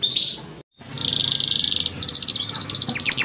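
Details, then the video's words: Yellow canary song with a brief break, then a sustained high trill followed by quick chattering notes and sharp downslurred chips. "Yellow Canary Singing Training Makes Your Canary Fast Singing Beautiful and Rocking"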